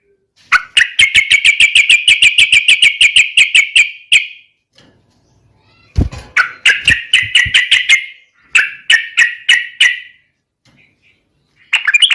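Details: Yellow-vented bulbul singing steadily, used as a lure to prompt other birds to answer: long bursts of quick repeated chirps broken by short pauses, with a thump near the middle.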